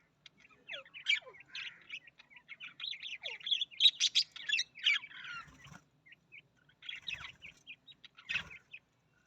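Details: Australian parrot giving a busy chatter of short, squeaky chirps and twitters, several notes per second with brief pauses, a few soft thumps in between.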